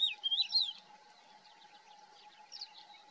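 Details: Calling Thekla's lark at Hoces del Río Duratón, opening with a quick sequence of sweet, wavering whistled notes lasting under a second, followed by soft faint chirps and a constant low hum.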